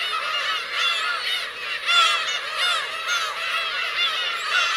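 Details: Black-tailed gulls and their chicks call at the Kurosaki coast, Teuri Island, Hokkaido, Japan, 17 June 2021. The birds give many curved, mewing cries at once, with a few louder calls rising above the continuous flock noise.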